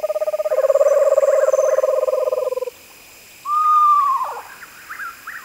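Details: Screech owl calling: a long, fast, even trill of rapid pulses, a second trill overlapping it, then after a short pause a drawn-out level whistle that bends downward at the end.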